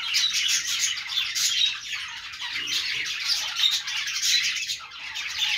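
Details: Budgies keep up a busy, buzzing chatter of chirps and squawks, overlapping throughout with short louder peaks and a brief lull near the end.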